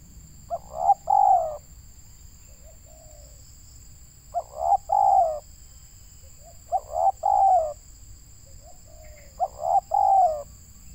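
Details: Local spotted dove used as a decoy for trapping wild doves, described as having a big voice. Four deep cooing phrases about every three seconds, each a short soft lead-in then a rich two-part coo, with soft low notes between and a steady high hum behind.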